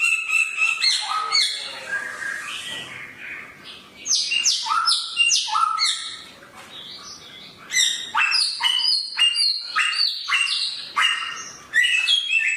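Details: Samyong bird giving a sharp, energetic song: bursts of quick high chirps and whistled notes, with a brief raspy note near the start and short lulls between loud outbursts.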